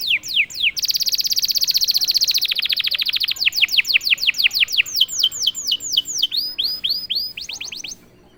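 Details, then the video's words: Prompted canary bursting into song: two falling whistles, a long dense buzzy trill lasting over two seconds, then a series of sharp descending whistled notes and a few rising ones before stopping abruptly. "Sekali pancing kenari diam langsung bunyi."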